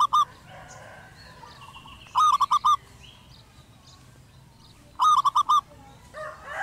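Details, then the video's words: Wild local zebra dove of the "suara kristal" (crystal voice) style, singing actively and calmly on a house roof. Two bursts of four to five quick, ringing coos, about three seconds apart, with faint chirps from other birds between them. "perkutut lokal suara kristal manggung gacor di atas atap"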